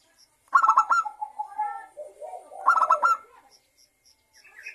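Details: Lure song of a local zebra dove, for prompting other doves to sing: two phrases, each a loud burst of rapid ringing notes followed by a lower wavering coo.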